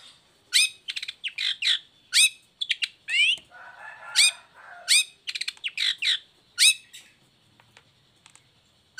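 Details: Long-tailed shrike in full voice with its cage cover opened, used as a lure for lazy or moulting shrikes: harsh scratchy bursts and sharp chirps in quick clusters, with a softer buzzy patch in the middle.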